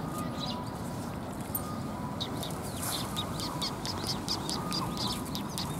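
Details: Tree sparrows gathering to be fed at a Tenmangu shrine in Japan on 10 January 2022; many short, high chirps come in quick, overlapping bursts from several birds above a steady low rumbling background.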